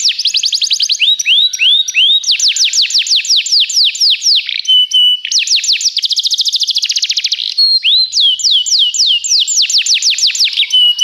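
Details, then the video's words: Belgian canary, kept as a song teacher, in full song: continuous cascades of descending whistled notes, alternating slow spaced slurs with fast dense trills and short steady whistles. "professor Canário belga cantando muito - best singing"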